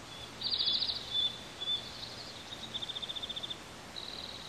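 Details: Bald eagle eaglets, two on the nest in hot weather, peeping: a loud fast run of high peeps, two short sharp notes, then a longer, softer, evenly spaced string of about twelve peeps and a final thin note.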